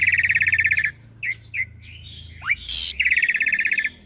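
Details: Asian pied starling master song for young birds to learn: fast rattling trill, scattered short whistles and a rising slur, a harsh buzzy note, then another rapid rattling trill.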